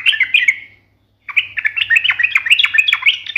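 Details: Yellow-vented bulbul (trucukan) giving sharp, combative song: a short warbled phrase, a gap, then a dense stream of quick rising and falling chirpy notes.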